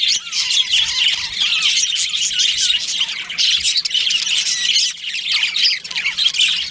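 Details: Budgerigars in a colony with a breeding pair give a steady, loud chorus of scratchy chirps and warbles, with some lower wavering whistled notes running through.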